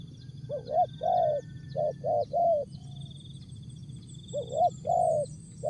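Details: Short jergot-style song of a spotted dove: two rising coos, three hoarse notes, a pause, then a rising pair and a longer coo, backed by persistent shrill insect noise.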